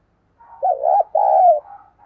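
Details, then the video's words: Spotted dove lure bird calling wild doves: one clear two-part coo, a wavering opening note and a longer even second note, with a faint softer trailing sound afterward. "Chim Cu Mồi Đẹp Mã Thúc Và Gáy Gọi Bổi Căng Đét"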